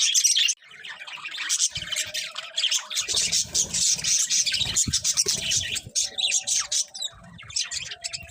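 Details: Pet budgerigars chattering steadily, a dense stream of high warbles, clicks and short squawks from more than one bird, with faint low knocking underneath.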